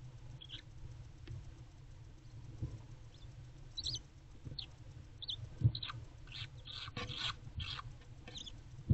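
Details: Owlets in a nest box, recorded on 2/5/24. Harsh, breathy hissing bursts cluster toward the end, several in quick succession, over a steady low hum and scattered scratching and shuffling noises.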